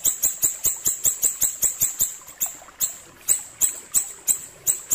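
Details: Ashy tailorbird singing for songbird training: a rapid run of shrill ticks that slows midway into spaced, emphatic high notes about two per second.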